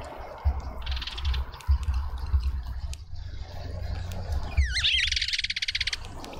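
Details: Hungry Cape white-eye at a suburban garden feeder in Pretoria, South Africa, repeatedly returning: a brief buzzy rattle early, then near the end a quick zigzagging whistle merging into a rasping, pulsed burst, with steady low rumble beneath.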